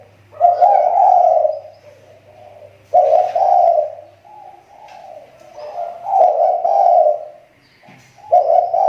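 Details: Spotted dove kept for luring, its call improving after a recent slump: deep, grainy coos in drawn-out phrases, three or four bursts separated by short breaks.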